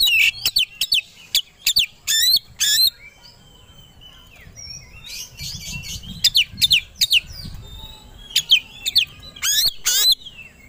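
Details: Kacer, or Oriental magpie-robin, singing a provocation song to rouse rival birds to fight: bursts of sharp high whistles and rapid chips, a quieter pause midway, then loud varied phrases resume.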